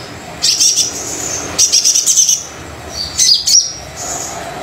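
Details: Energetic song of a brown-throated sunbird, meant to stir silent birds into singing: high rapid buzzy trills in three main bursts, the last with quick descending chips, followed by a faint thin note.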